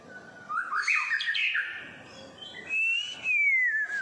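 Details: In Singapore one morning, a pet white-rumped shama aged six and a half months with an unfinished tail gives a jumble of fast chirpy notes, then a long pure whistle that rises slightly and glides down.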